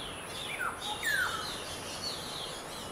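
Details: Black-hooded oriole at Siliguri, West Bengal, India, on 12 June 2021 gives two short, clear whistled calls, each sliding downward, about half a second apart, over a steady background hiss.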